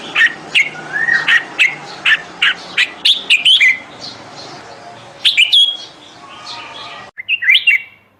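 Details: A bulbul calling for a mate, 28 May 2021, repeats loud chirps about every half second, some with a swooping whistled slur. A short bubbly phrase and a final clear warble follow after a pause.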